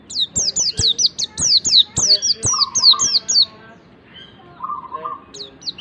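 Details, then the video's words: White-eye (pleci) song used as a lure to get a young bird to start singing: rapid series of high, thin, downslurred whistled chirps, about four per second, followed by a softer, lower steady warble and a few more chirps. "pancingan pleci agar cepat ngalas PLECI BAHAN CEPAT BUKA PARUH"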